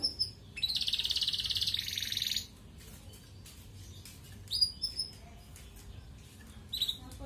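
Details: Red canary used as a lure for breeding female canaries, giving a brief high note and then a loud, fast buzzy trill of nearly two seconds, followed by sparse high chirps over quiet background.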